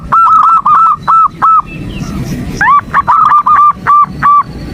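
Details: Female zebra dove calling a male to excite him, a morning recording: clusters of loud nasal hoots, a quiet gap with faint chirps, then a fresh burst of rising-onset notes repeated rapidly.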